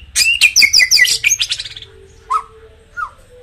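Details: White-rumped shama song for firing up caged birds: a loud rapid cascade of high chattering and whistled notes fading away, then two soft separate whistles over a faint steady tone.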